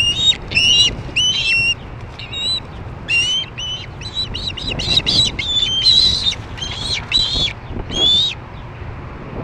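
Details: Young ospreys squabbling over dinner at a Missoula nest on September 4, 2012, evening: series of sharp, high, rising chirped whistles in short bursts, over steady low background hum.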